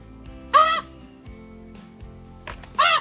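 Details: Poe, a rescued raven at least 15 years old who can no longer fly, gives two loud, harsh, arching squawks about two seconds apart, his greeting call for people he knows, with soft music underneath.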